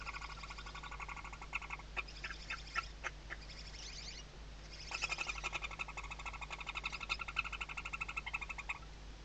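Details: Western barn owls on a webcam nest in Riet Vell reserve, Ebro Delta, Spain, 2023, chicks under the mother's wings; broken bursts of clicks and hisses, then a long sustained run of rapid harmonic chittering pulses.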